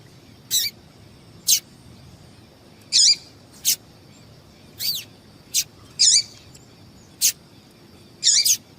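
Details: Female yellow-bellied seedeater calling to excite males for singing tournaments; a steady series of about ten high, sharp chirps and slurred doubled peeps, roughly one every second, above a faint hum.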